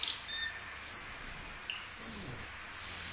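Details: Asian glossy starling giving loud, drawn-out piercing high whistles, two long phrases separated by a brief pause, with a short buzzy flutter between them.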